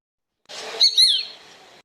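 A Shikra gives two sharp, high, slightly rising notes in quick succession, after a brief burst of rustling noise.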